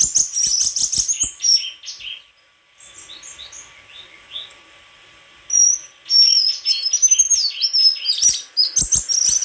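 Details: White-throated flycatcher in rich high-pitched song: bursts of sharp chips and clear whistled notes with sharp clicking taps at the start and end, separated by a quieter pause with soft, scattered notes.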